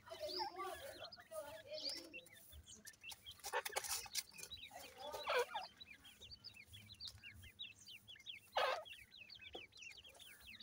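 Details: A crowd of grey francolin chicks, or irani teetar, keeps up a steady stream of tiny, high, upslurred peeps. Loud rustling and scraping bursts and some soft low clucks come in between.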